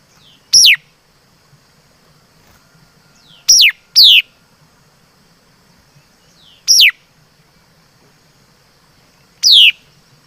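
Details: Laughingthrush, locally called mi đất, singing: five loud, sharp whistles, each sweeping steeply downward and lasting about a quarter second, given at irregular gaps with two close together near the middle; faint low hum underneath.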